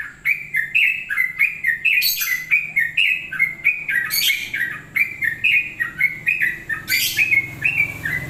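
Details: Long-plumed bulbul delivering a long, lively series of slurred whistled notes stepping up and down, broken by a few sharp scratchy bursts, with a low hum behind.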